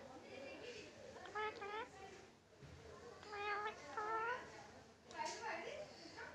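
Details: Tame pet Indian ringneck parakeet imitating a cat's meow, saying "miaoon" indoors; drawn-out, wavering nasal meow-like calls repeated several times, with faint background hum in a small room.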